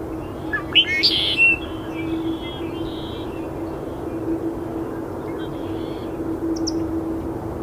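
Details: A juvenile red-winged blackbird at Iona Beach on 22 January 2018 gives one cheerful gurgling song phrase ending in a harsh, buzzy trill; a few faint chirps follow over a steady low hum.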